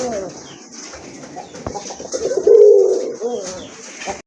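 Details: Caged pigeons at a farm in Kashimpur, Gazipur, Bangladesh, among local and foreign breeds: a soft murmuring coo swelling into one louder drawn-out coo midway, then quieter coos, over hiss.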